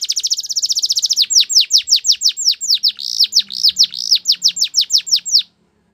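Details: Belgian canary song opening with a very rapid, high rolling trill, then slowing into a series of loud downward-swooping whistles before stopping abruptly. A faint low hum sits underneath.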